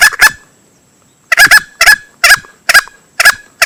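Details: Male green junglefowl lure call used when hunting: a rough double note, a silence of about one second, then paired and single harsh notes every half second.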